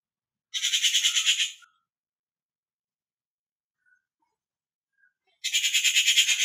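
Two harsh, grating rattles from a Rufous Treepie, each about a second long and made of rapid rasping pulses, separated by several seconds of quiet.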